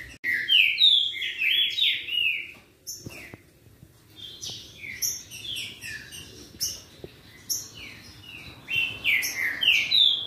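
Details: Green-winged saltator song duel meant to excite another bird: bursts of rich, falling whistles in quick succession, separated by a few seconds of near silence before the singing resumes.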